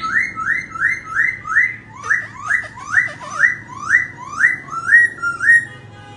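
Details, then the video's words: Laughingthrush song while dancing: a rhythmic chain of about twelve upswept whistled phrases, roughly two per second, some with quick downward flicks, loud and clear throughout. "Khướu Muá Hót"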